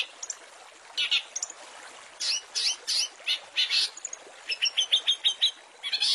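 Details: Long-tailed shrike training song with fill-in phrases: rough, raspy squawking bursts, then a rapid chain of short, clipped, high whistled notes near the end.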